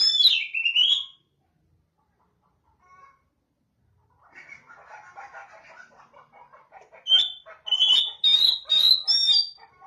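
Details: Oriental magpie-robin calling song meant to draw answers from other magpie-robins: a loud, swooping whistle opens, then a pause, a stretch of softer lower chattering notes, and finally a run of bright, high whistled notes in quick succession.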